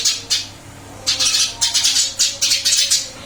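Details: Freshly moved to a new cage, a caged Eurasian tree sparrow gives two quick chirps, then a lively string of rasping, high chirps at a fast, even rhythm.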